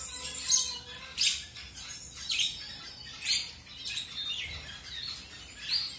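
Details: Colour-mutation zebra finches just paired with a new mate give short, sharp high-pitched nasal calls, spaced roughly once a second, some doubled, over a quiet background.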